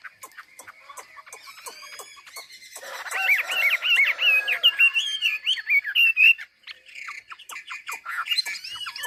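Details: Hwamei from Ha Giang, Vietnam, singing a song meant to train other birds, with a burst of quick, rising and falling whistled phrases in the middle, framed by softer notes and frequent sharp clicks.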